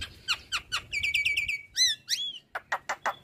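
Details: Black-winged starling, caged, singing prolifically with head-bobbing: repeated downslurred chips, a fast trill of whistled notes, arched whistles, then a series of short harsh bursts about every fifth of a second.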